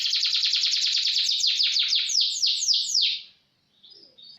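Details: Canary speed roll for training: a very rapid series of high, repeated notes that slows into longer descending sweeps, then brief faint notes after a pause.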